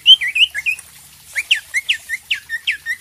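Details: Leafbird master song for prompting a bird to sing: rapid series of bright, slurred whistled notes, some rising and some falling, repeated in quick succession with a short pause midway.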